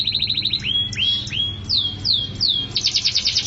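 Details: Mabok teler style canary song: a short rapid trill, three falling whistled slides, three sharper downward sweeps, and a closing fast pulsed trill, all high and bright.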